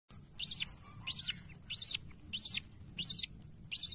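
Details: Baby budgerigar with its mother gives harsh, raspy high chirps repeated about every half second.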